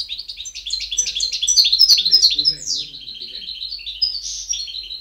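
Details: European goldfinch singing, recorded 2010: a dense stream of quick, sparkling chirps and descending twitters, building in loudness, then a slightly softer buzzy, rippling close.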